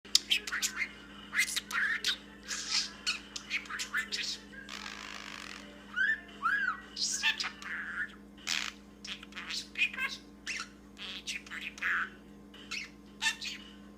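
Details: A 1-year-old male budgerigar (Melopsittacus undulatus) talking: rapid, scratchy bursts of mimicked speech mixed with whistles and squeaks.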